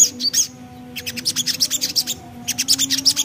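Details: Javan black-capped babbler in 'nembak ngriwik' song: bursts of rapid, high chirps, several per second, broken by a short pause and then resumed, over a steady low hum.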